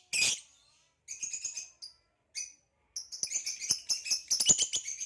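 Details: Caged lovebirds, a male green hybrid and a Lilianae (Nyasa) lovebird, giving a loud harsh squawk, then short high chirps separated by silences, building into a fast run of sharp clicking chirps and chatter.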